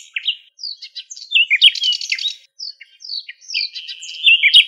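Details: Wild nightingales singing in their natural habitat in Greece: a fast, varied stream of high whistled slurs, rising and falling notes, rapid trills and a sustained buzzy rattle, with short pauses between phrases.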